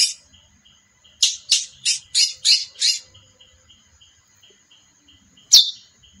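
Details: Harsh, rasping notes from a female chestnut-bellied seed finch, about six in a rapid series, followed after a gap by one clean descending chip, over a steady high-pitched hum.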